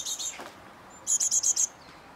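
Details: Great tit at an eleventh-floor balcony in Mariahoeve, The Hague, May 2023, gives thin, very high notes: a doubled pair, a short downward slur, then a quick run of five sharp ticks.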